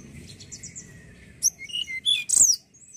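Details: Young Tledekan (Hill Blue Flycatcher) song used as a lure to stimulate other tledekan to sing: several high, thin whistled phrases and sharp chirps in short bursts over about a second and a half, against a quiet background.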